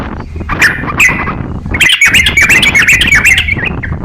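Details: Crocok-cokan singing as a master song for training songbirds: lively chattering phrases of quick, warbled notes, a short burst at the start, then after a brief pause a long, fast run of bright, jumbled twittering.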